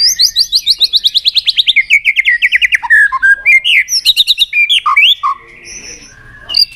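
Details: White-rumped shama singing to excite rival shamas: a fast run of about twenty rapid descending notes, then varied whistled phrases, rising and falling slurs, and sharp clicks, ending in quiet.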